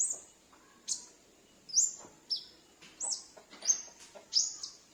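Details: Sunbird kept in a house, calling as a lure for wild sunbirds; sharp high upslurred chips repeated roughly every second, seven in all, in otherwise quiet surroundings.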